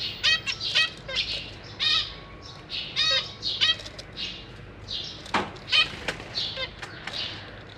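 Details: Zebra finch family kept in a cage, parents feeding three juveniles and three newly hatched babies: a busy run of nasal, buzzy chirps and ladder-like calls, some overlapping, with wing flapping between bursts.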